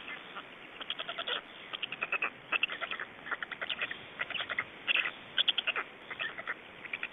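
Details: Estonian black storks at feeding and change-over time, 25 May 2012 near 17:03: bursts of quick, harsh pulsed notes in clusters, separated by short quieter gaps, over a soft background hiss.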